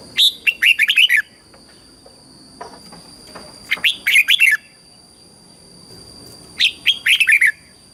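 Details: Red-whiskered bulbul, southern Thai song style meant to train young birds: three loud phrases of a rising whistle followed by rapid descending warbled notes, roughly three seconds apart, over a high steady tone.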